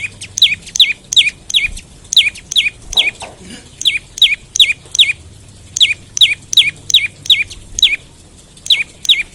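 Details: Olive-backed tailorbird calling in the morning, used as a lure to set other tailorbirds singing: sharp, high notes, each dropping quickly from high to lower pitch, repeated briskly about every half second in a long, unbroken string.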